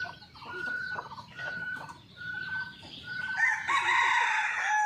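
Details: Crowing red junglefowl on a lively morning after a storm, filmed with a concealed camera; a rough, rising crow swells in the final second and a half, following repeated clear whistled notes from other birds and a low background rumble.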